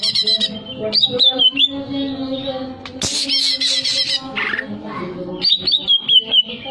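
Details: Greater green leafbird, song for breeding arousal: jerky whistled phrases, a loud noisy harsh burst midway, then more chattering high notes over a continuous low hum.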